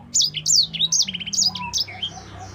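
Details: Sanger, a caged songbird recorded to train other birds, delivering a short burst of piercing high chirps and slurred whistles in fast succession, ending in a brief lower warble.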